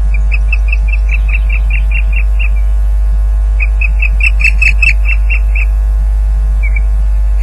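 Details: Osprey at the nest at Loch Garten during a fish delivery, recorded by a live nest camera at 12:39 pm on 30 April 2010. Two runs of rapid, sharp, whistled chirps, about two per second, separated by a brief pause, over a steady low mechanical hum.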